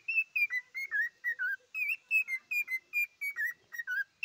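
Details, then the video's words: Pet cockatiel singing: a steady run of clear whistled notes, each short and slightly falling, about sixteen in just over four seconds, some with a bent or dipping end, in a quiet room. "попугай корелла поёт"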